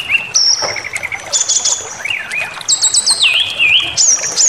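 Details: Brown-chested jungle flycatcher song played to provoke birds into aggression: a level high whistle, a short chattering trill, then a rapid stuttered run dropping into a wavering warble and a final thin rising whistle.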